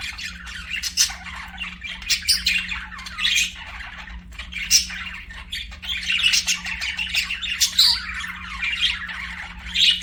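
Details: Several pet budgerigars chirp and sing in a busy, scratchy warble, with rapid clicks, short whistles and squawks tumbling over one another for ten seconds above a low steady hum.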